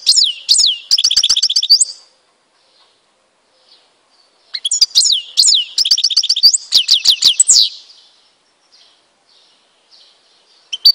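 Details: Goldfinch song from Tizi Ouzou, Algeria. Two bursts of rapid, sparkling twitters, buzzy trills and slurred whistles, each a few seconds long, are separated by near silence.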